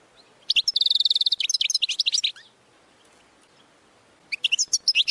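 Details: Goldfinch training song: a rapid buzzy trill among bright twittering notes, about two seconds, then a silent gap of nearly two seconds before another burst of quick, high chirps begins.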